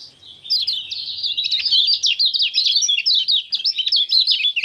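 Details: Kecial kuning (common iora) singing ngejos, 6 December 2024: after a soft start, a continuous, fast chatter of high zigzag notes and sharp chips pours out without a break.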